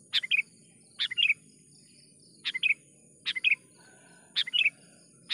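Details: Sooty-headed bulbul lure call for trapping wild birds: clipped three-note chirpy phrases, each starting with a sharp high note and falling into a warbled pair, repeated about once a second over soft insect hiss.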